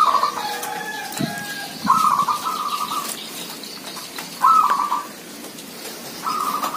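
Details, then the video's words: Zebra doves calling in numbers: short, rapid, stuttering trilled coos, each about half a second long, repeat at uneven intervals. A faint lower gliding whistle and light background noise are also heard. "Merbok kampung bunyi ramai"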